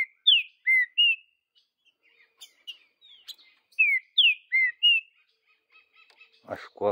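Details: Free-living green-winged saltator singing the Vidigal style: a phrase of crisp whistled slurs, a softer twittering pause, then the same phrase repeated. A short human voice is heard at the very end.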